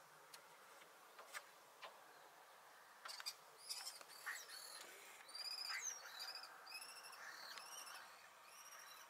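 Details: Thekla's lark (Galerida theklae) in open habitat gives short fluty whistled notes, high and slightly wavering, in quick repeated phrases after a few sharp clicks, over a steady hiss of wind.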